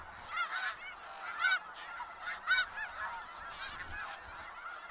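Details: Snow geese gathered in Skagit Valley: clear, strident honks from close birds ring out about once a second early on over a softer, constant background of flock chatter.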